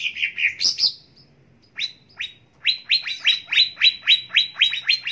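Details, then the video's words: Cucak ijo singing for training and luring: a few warbled notes, a pause, then rapid repeated downward-sweeping chips delivered about four per second in a lively, regular chatter. "Pancingan Dan Masteran Cucak Ijo Pagi Siang Sore Dan Malam Agar Cepat Gacor"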